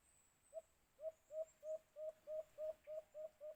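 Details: White-eared brown dove (alimokun), recorded during bird hunting with a cage trap: a steady series of ten short, low, hollow hoots, each slightly upturned, repeated about three times per second, over faint high background hiss.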